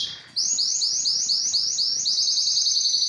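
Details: Canary singing, Belgian or Spanish timbrado, in song-training recording: rapid runs of repeated high sweeping notes, about seven per second, forming a steady rolling trill after a brief opening note.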